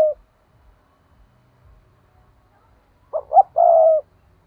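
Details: Trapping decoy spotted dove: after a quiet pause, a single phrase of two short rising coos and a sustained rolling croon, with a faint low murmur in the background.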